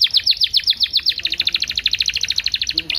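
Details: Canary song used to stimulate other canaries to sing and as a tutor song: rapid, even trill of high chirping notes, about twelve per second, shifting midway into a slightly lower, denser run of notes.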